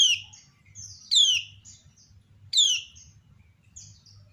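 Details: Female kecial kuning, a white-eye kept by a bird hobbyist in Lombok, calling with replies from others: loud falling whistled slurs roughly every one to one and a half seconds, soft high chirps between.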